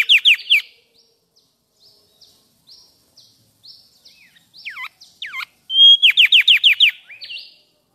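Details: Mangrove whistler of South-east Asia chirping sweetly: opening burst of fast descending notes, soft high chips, two deep swooping slurs, then a loud rapid series of downslurred notes and a brief buzzy tail.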